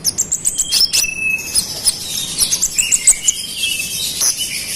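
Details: Olive-backed sunbird pouring out a fast, provoking song aimed at rival konin: a rapid stream of tiny high chirps with interleaved thin sustained whistles, steady and busy throughout, with faint background hiss.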